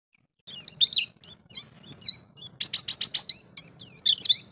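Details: Champion-class white-eye kept as a songbird, singing in ngalas style and opening up its mimicked fill phrases: sweeping high whistled slurs, then a rapid run of about eight sharp repeated chips before more rising and falling whistles.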